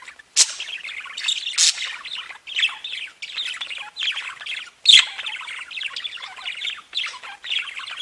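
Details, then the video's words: Several budgerigars singing and chirping together: continuous busy warbling chatter of scratchy, high twitters, broken by loud harsh squawks near the start, around the middle and later on. "Веселое пение волнистых попугайчиков"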